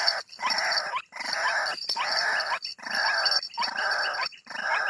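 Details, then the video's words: Lure recording of white-breasted waterhen used to bring birds out of thickets: rough, nasal croaking notes in bursts about a second long, repeated steadily, over a constant high-pitched background whine. "mikat ruak ruak,dengan suara ini.ruak ruak langsung keluar dari semak2."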